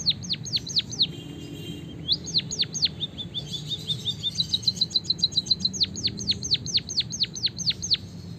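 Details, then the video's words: Long rolling white-headed munia song blended with canary phrases, meant to stimulate birds to sing. Bursts of steeply falling whistles alternate with fast high trills and chirp runs, nearly continuous throughout. "suara burung emprit peking bondol kaji gacor isian kenari ngeroll panjang untuk masteran"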